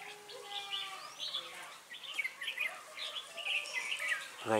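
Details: Red-whiskered bulbul song recorded during bird trapping at Ba Thá, 18 December 2016, with a lure bird calling wild birds; bright warbled phrases around mid pitch, overlapping chirps from several birds and a faint background hum.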